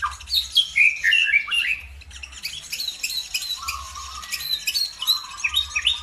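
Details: Birdsong lure intended to trigger singing in other birds: a loud phrase of bright, piercing whistled notes, then a quieter stretch of high scratchy twittering over a low steady buzzing tone.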